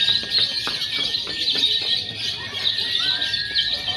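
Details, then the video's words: Several lovebirds in a mock singing contest mixing konslet, fighter and paud styles, played to train birds before competition; dense, continuous high chattering trills overlap without pause, with scattered short sliding whistles beneath. "SIMULASI LOMBA LOVEBIRD BEBAS AKSI (KONSLET, FIHGTER, PAUD)"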